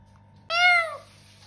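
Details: Single drawn-out meow-like call from a talking pet parrot, bright and harmonic, rising slightly then falling, against a quiet room with a faint steady hum.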